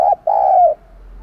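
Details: Spotted dove decoy cooing to attract wild doves: a brief clipped note, then a drawn-out, mellow, gently falling coo.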